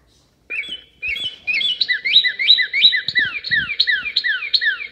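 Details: Three Northern cardinals singing: after a few opening notes, a fast run of repeated slurred whistles, each dropping then rising, overlapping between birds at roughly three per second, over a low steady hum.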